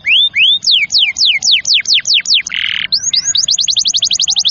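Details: Canary in full song for training young or silent canaries to sing: broad descending whistled sweeps repeated steadily, a short buzzy note, then a quick accelerating trill of rising notes.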